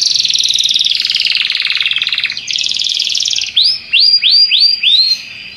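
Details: Belgian canary pouring out a dense buzzy rolling trill for over three seconds, then switching to four loud upswept whistles spaced evenly.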